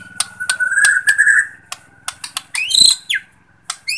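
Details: Borneo shama lure song for unmotivated birds: a faint sustained whistled tone with soft clicks, a sharp upward-sweeping whistle, then scattered high notes, over a low background hum.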